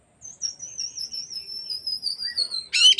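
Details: Oriental magpie-robin, recorded as an afternoon lure for other magpie-robins, gives a long sustained wavering high whistle slowly sliding downward, ending in a sudden harsh burst of notes.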